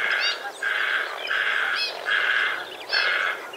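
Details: Australian White-faced heron, 2 January 2019, giving hoarse grating calls in quick succession, about four or five rough bursts in under four seconds, each with a short scratchy rising note at its start.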